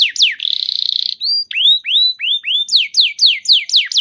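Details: Canary song for prompting other canaries: a short buzzy trill, then several rising whistled notes followed by regularly repeated falling whistles, clear and loud.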